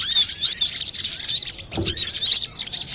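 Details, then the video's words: Brown-throated sunbird in busy, clear song for bird luring or therapy: thin, high, fast twittering of slurred whistles, briefly interrupted by a soft low thump midway. "Pancingan burung Kolibri Klapa ribut,suara jerni"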